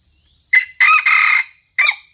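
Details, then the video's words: A red junglefowl in Sumatra, recorded during trapping, gives a short, broken crow: a brief harsh note, a longer strained middle phrase, then a clipped ending, over a steady high insect drone. "Mikat ayam hutan merah"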